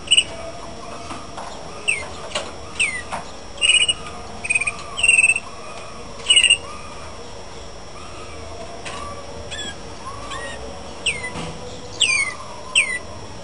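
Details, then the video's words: Malinois canary singing: short separated phrases of clear, slightly rolled notes with harmonics, some pulsing as brief trills around the 4, 5 and 6.5 second marks, with pauses between, over a steady low background hum. "canaris malinois"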